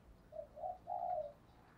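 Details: Spotted dove, 'giọng thổ' voice with 'thổ thúc' and 'gáy gọi' calling meant to train newly caught birds: a soft short note, a second note, then a longer drawn-out low coo, over light background hiss.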